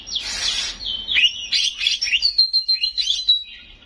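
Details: Oriental magpie-robin (kacer) in 'gacor' song with 'isian' and 'nembak' bursts: a harsh scratchy burst, then falling slurs and a fast run of evenly spaced bright whistled notes that fades.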